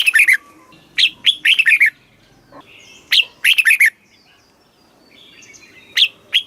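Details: Red-whiskered bulbul from Thailand, a caged-bird song in the southern master phrasing style, played to stir up caged birds and teach young ones: loud bursts of quick, bright chirping notes in short phrases, separated by brief pauses, quiet background.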